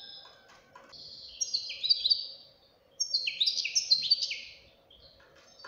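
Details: A young European goldfinch sings two rich phrases of rapid, tinkling notes mixed with buzzy downward slurs, a brief quiet gap between them and a soft background hum.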